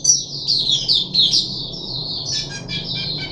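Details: Caged puff-backed bulbul on its third day after deworming, recorded 14 July 2021, gives a continuous high, bright warbling chatter of quick sliding notes with a steady low indoor hum beneath.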